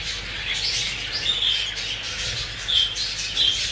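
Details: A flock of English exhibition and hogoromo budgies twittering, with continuous overlapping chatter and several clear whistled notes repeated through the clip.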